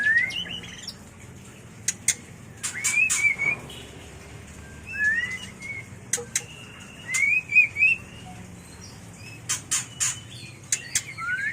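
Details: White-rumped shama mating song for bird training and luring: brief whistled phrases with quick rising and warbled notes, spaced out and mixed with sharp high clicks about four times a second.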